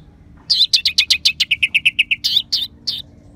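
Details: Orange-headed thrush mimicking song for stimulating other birds: a fast, even series of about fifteen short downslurred chips, roughly four per second, closing with three louder swooping whistles over a low steady hum.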